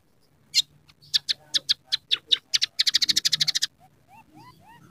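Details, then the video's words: Scaly-breasted munia with song stuffed with sparrow, red siskin and rough canary imitations; spaced sharp chirps quicken into a rapid burst of about ten clipped notes, followed by quiet rising slurs. "masteran burung emprit peking gacor isian suara kenari kasar"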